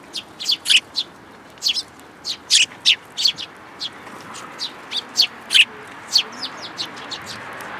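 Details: Sparrows, among them a young fledgling newcomer, visiting a feeder in a plum tree at a shrine in Japan on 21 June 2022; bright, high chirps given in quick irregular bursts, often paired, about twenty across the stretch.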